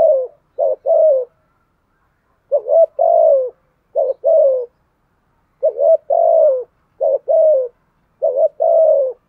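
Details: Spotted dove kept as a decoy, voice style 'giọng thổ', repeating 'gù thúc' urging coos to draw wild doves: soft, hollow paired and three-note coos in regular phrases roughly every one and a half seconds.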